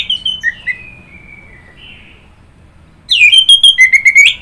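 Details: Orange-headed thrush song, soft trailing whistles fading away before a loud burst of quick rhythmic chirping notes with alternating high and lower whistles.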